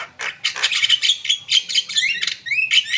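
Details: A Javan myna (Acridotheres javanicus) sings a busy stream of harsh, scratchy chatter broken by clear whistled notes, one sliding upward, in rapid bursts several times a second.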